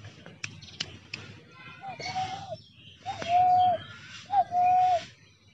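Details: Spotted dove kept as a decoy bird in a trap cage, calling: three clear, smooth, level coos in steady succession, each lasting about half a second, preceded by a few sharp clicks or taps.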